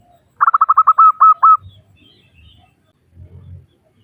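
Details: Local zebra dove, a female calling males: a fast burst of clipped coos followed by a few longer, evenly spaced notes, then faint low thumps in the background.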